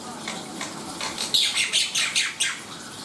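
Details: Black-winged myna delivering loud, rasping song notes in quick succession, about two per second, with a few sharp tonal accents over a hissy background.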